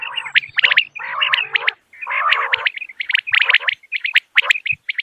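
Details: Common quail calling in the morning: bright, clipped notes bunched in twos and threes, broken by short pauses and by lower, nasal, buzzy phrases near the start and middle.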